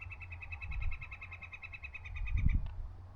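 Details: Northern Flicker at a Front Range creek in Colorado in daytime, giving a steady run of sharp, even 'wik-wik-wik' notes, about eight a second for two and a half seconds, over low rumbling wind and handling bumps.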